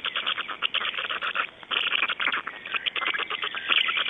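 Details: At dawn in Estonia (05:15, 26 May 2012), black storks produce continuous rapid clattering, a dense stream of dry pulses with a short dip around 1.6 seconds.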